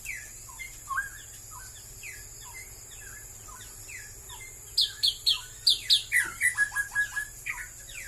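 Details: Straw-headed bulbul, a species said to be dwindling in Malaysia: scattered soft chirps and slurred notes build into a loud, rapid burst of rich warbling phrases near the end, over a constant thin high-pitched hum.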